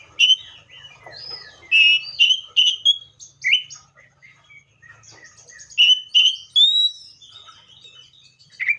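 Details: A Seychelles magpie-robin sings a varied, loud song of emphatic whistled notes in quick groups, separated by softer twitters, with clear pauses between phrases.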